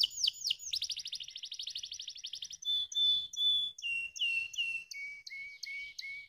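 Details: Canary song played to stimulate lazy birds to sing: a fast, even trill of rapid high notes for over two seconds, then a series of clear, sustained whistled notes, each held briefly and stepping gradually lower in pitch.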